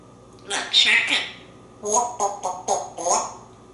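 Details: A male African grey parrot, on his way to the kitchen wanting lunch, gives two short bursts of high, slightly nasal, speech-like mimicry, including an imitated cat's meow, in a quiet room.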